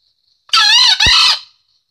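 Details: Courting green junglefowl (Gallus varius) directing a crow at a hen: a shrill, strained two-part call with a wavering first half, a low thud at the break, and a falling, fading second half, in otherwise quiet surroundings.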